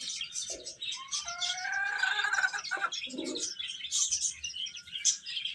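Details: Several young chickens chirping as they eat, with thin high peeps over a few short, lower, softer notes and a brief run of clear whistled calls near the start.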